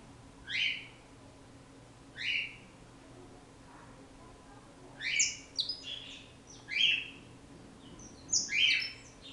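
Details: Saffron finch from Brazil singing: two short bright chirped notes two seconds apart, then a quicker run of sharp, high twittering phrases in bursts over a quiet background hiss.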